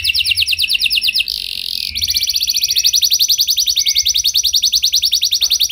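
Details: Canary in rich 'lagu mewah' song, played so other canaries join in: a rapid high trill, a brief break, then a long, even, very fast trill, with a faint low hum beneath.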